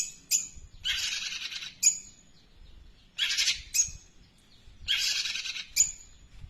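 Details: Long-tailed shrike mimicking a sparrow in a long song: three harsh, buzzy, grating bursts, each bracketed by thin piercing chirps, separated by short pauses, with faint low background noise.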